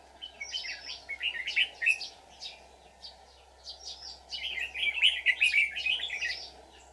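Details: Trapping red-whiskered bulbuls on 24 July 2019, a decoy sings fight song to attract wild ones. Choppy chirped phrases build into a long loud warbling run near the end, over a steady background drone.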